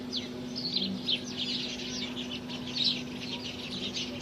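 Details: House sparrows recorded in India: soft, overlapping chirps form a continuous, moderately quiet chatter over a steady low electrical-sounding hum.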